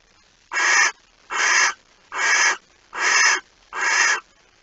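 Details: Barn owl at a nest with an egg in Friesland, Netherlands, 26 August 2019 at 05:14, as a mouse is brought in, gives five harsh, breathy hissing screeches about half a second long, evenly spaced under a second apart.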